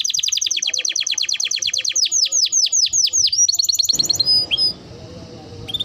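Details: Canary singing a training song for birds: a fast train of repeated falling notes, then slower loud downward-swept whistles, a short high trill, and a quiet rustle at the close.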